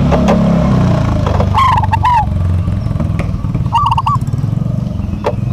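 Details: Two rolling, looping coo phrases from local zebra doves singing a duet, partly masked by a loud, steady engine-like rumble throughout.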